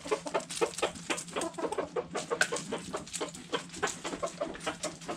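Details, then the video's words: Hens in a backyard flock eating food scraps, steady rapid pecking taps mixed with soft, short clucks from several birds. "Backyard Chickens Food Scraps Mukbang Sounds Noises Hens Clucking Roosters Crowing!"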